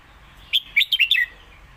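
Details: Red-whiskered bulbul, a caged competition songbird, gives its master song for teaching young birds: a crisp phrase of five or six warbled notes dipping and rising, clearly heard over a quiet background.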